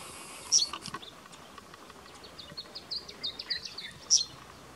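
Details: Two male Arabian woodpeckers harrying each other on a spring morning outside Abha, Saudi Arabia. Two sharp, high 'pik' notes stand out near the start and end. Between them runs a thin series of quicker high notes over faint background hiss.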